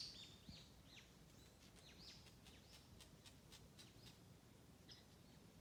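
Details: Wild birds singing in spring along a forest road in Tanzawa, Japan: a series of short, high, thin chirps and sweeping whistled notes in quick succession, faint over a steady low rumble of background noise.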